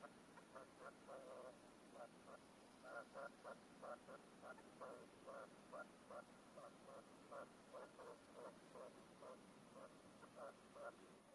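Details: Red-legged partridge decoy on its first hunting stand, a caged male calling to wild partridges with its mature song of 4–5 beats. Grating chuck-like bursts come in clustered runs with short gaps, repeating steadily over soft background hiss.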